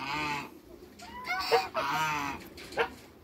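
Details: African geese, two males and one female, kept in a backyard: loud nasal honks with rich harmonics, a long call followed by several shorter, slightly descending honks in quick succession.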